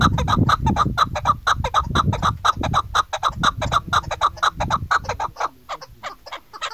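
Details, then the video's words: Female farm-bred chukar used as a hunting call: a fast series of clucking chuck notes, about two per second, with low rumbling background noise in the first half. "keklik sesi shikari chakor awaz dasi madi awaz female farmi chakor"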